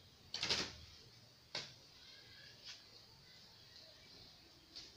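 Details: Faint clicks and taps over a low, quiet room hiss, with one louder knock near the start and no animal voice.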